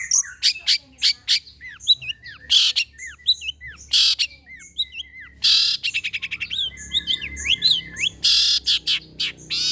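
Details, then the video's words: Long-tailed shrike lure song intended to make other shrikes sing: a varied mix of sharp ticks, arched whistled notes and loud hissing rasps, with a quick trill near the middle. "PANCINGAN CENDET TERBAIK, SEMUA JENIS CENDET PASTI NYAUT BUNYI DIBUATNYA"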